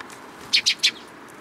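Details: Sparrow coming onto a hand for food at a Tenmangu shrine on 26 June 2022, giving three short, sharp high chirps in quick succession against a quiet background.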